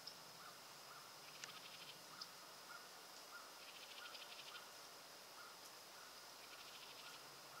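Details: Calling house wren, Roxbury Park, Meggett, South Carolina: three brief dry rattling trills, distant and soft, against steady insect buzzing and faint scattered chirps.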